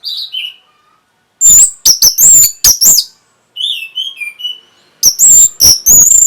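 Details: Orange-headed thrush song for breeding stimulation and response: soft falling whistles, a burst of loud sharp notes, quieter twittered whistles, then another loud rapid series of high ringing notes.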